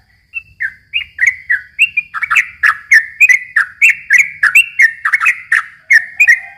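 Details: Continuous chattering song of a yellow-vented bulbul, played to lure young birds: a few spaced whistles, then a fast run of liquid falling notes about three or four per second, with crisp clicks on top.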